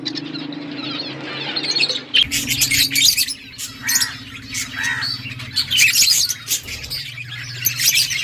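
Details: Budgies feeding chicks during breeding: a soft warble, then from about two seconds a sudden run of harsh, scratchy squeaks and raspy bursts, over a steady low hum.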